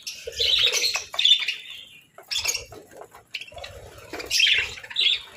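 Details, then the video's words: Pet budgerigars chirping during a winter breakfast of boiled eggs and bread, bursts of bright, high chattering chirps and squawky notes coming in three clusters over a few seconds, with brief quiet gaps and soft low clatter between. "Budgies' Melodic Chirps"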